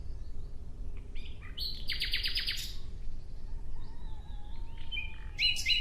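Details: Nightingale song: a few thin notes, then a loud run of about six rapid, harsh repeated strokes, a pause, and a final chattering flourish; a faint low steady tone runs underneath.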